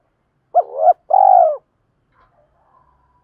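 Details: Cooing spotted dove, a sound for luring wild birds and training decoy doves: a short rising note that builds into a two-part coo with a long vibrating tail, then near silence.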